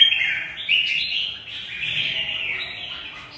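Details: Red-whiskered bulbul sings a continuous bubbling fighting phrase, loudest at the start, wavering up and down then gradually softening; caged bird, quiet background.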